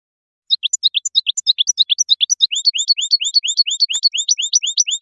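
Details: Sweet, high-pitched goldfinch notes in paired chirps, changing halfway to a steady series of quick repeated slurred notes, with one faint click.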